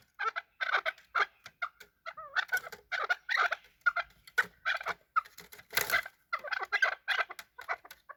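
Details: Hunter chakor, a chukar partridge, during a fight; quieter bursts of clucking and raspy notes with a few slurred whistles and one sharp scuffling burst near the end.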